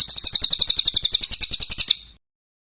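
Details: A dense, tight roll of bird song used for training competition songbirds: about twenty rapid high notes in an even trill lasting two seconds, then silence.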